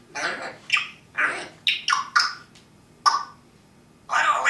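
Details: Talking parrot producing a string of short, squawky, word-like syllables in quick bursts, a pause, then one more longer grating phrase at the end.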